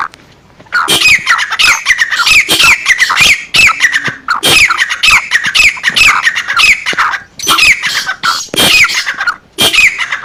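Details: Female black francolin giving the call meant to excite males: rasping, noisy squawking notes in dense bursts with brief gaps, steady and loud through the whole stretch.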